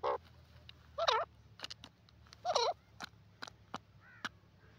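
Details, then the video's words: Grey francolin, known locally as dakhni teetar, calling. Loud harsh rattling notes come twice, about one and a half seconds apart, with scattered short clicks and fainter notes between them. "dakhni teetar ki awaz"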